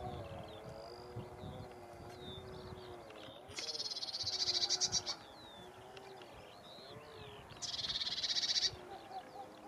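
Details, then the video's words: Lesser whitethroat giving two dry, fast rattles on one high pitch, each lasting about a second, with a quiet twittering between them; low wavering animal bleats sound underneath. "Lesser whitethroat"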